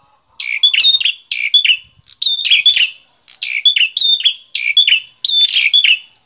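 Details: Bar-winged prinia in steady song, intended for tutoring other birds: a continuous string of short, high chirping phrases, about one every second, each sharp and bright.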